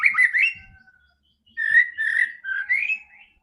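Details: White-rumped shama song aimed at getting a quiet bird to sing: a quick warbled phrase fading out, a pause, then a few rich whistled notes ending in an upward slur.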